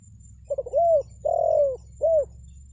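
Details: Spotted dove cooing used for luring wild birds: a few quick soft notes, then a short coo, a long sustained coo and a closing short coo, steady low hum throughout.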